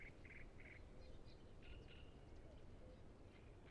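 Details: Great reed warbler at Emajõe Suursoo nature reserve on the shore of Lake Peipus, among many singing great reed warblers: three harsh, grating croaks in quick succession, then varied squeaky and churring notes, over steady low rumbling.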